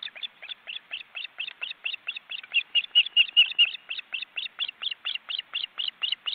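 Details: Wild ospreys at a nest in an Estonian forest reserve, seen on a live webcam, with the fully grown chicks flapping their wings: evenly spaced, piercing chips repeated a little over twice a second, growing louder midway.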